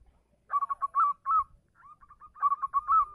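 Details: Local zebra dove calling a female: bursts of quick staccato cooing notes near one pitch, ending in longer rolled coos, repeated twice with a quieter, softer series between them; low rumble in the background.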